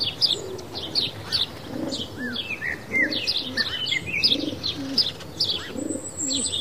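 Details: Sparrows bathing in water and in soil; short high chirps scattered throughout, overlapped by low repeated cooing from another bird and some wing flutters.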